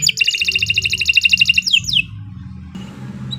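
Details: Canary giving a long rapid trill of evenly spaced buzzy notes that ends in two falling slurs, then a brief hiss of noise and a low hum; a fast song used as a tutor model.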